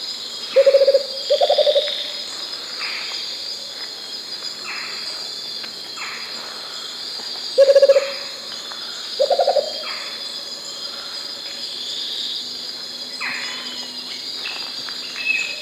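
Rufous-capped Motmot giving low, hollow hoots in short pairs, over a steady hiss of insects.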